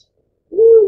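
A Black-chinned fruit dove gives a single low, soft hoot, steady in pitch and dipping slightly at the end, after half a second of quiet.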